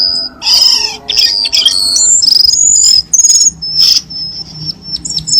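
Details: Cucak keling lure recording for prompting pet birds to sing: squawky chatter at first, then bright high whistles and short trills, ending in a thin, steady high whistle.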